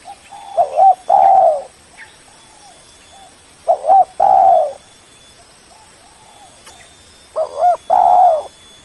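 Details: Spotted dove giving a lure call used to draw in a rival: loud phrases of two quick clipped coos followed by a long, throaty drawn-out coo, repeated about every three seconds, with softer distant cooing between phrases.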